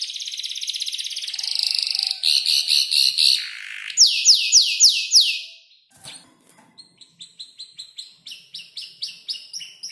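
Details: Young canary about five months old learning its song from tutor birds; dense buzzy trill, then rhythmic chattering phrases and loud falling whistles, a short pause, and quieter repeated chips at the end.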